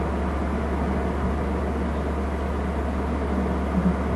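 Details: Steady low engine-like rumble and broadband hiss with no animal calls.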